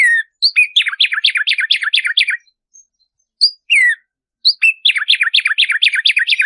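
A tumba yegua sings bright, fast phrases of repeated downslurred notes, each burst lasting about two seconds.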